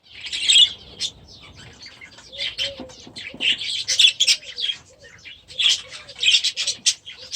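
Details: Grown budgerigar youngsters released into a new aviary this season chatter with high chirps and warbles, while a soft low whistled note repeats beneath the flock.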